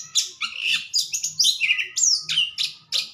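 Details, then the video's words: Loud, dense song from a caged white-rumped shama once its cage cover is lifted, a continuous stream of high, shrill, slurred whistles and chattering notes. "burung kacer habis buka krodong"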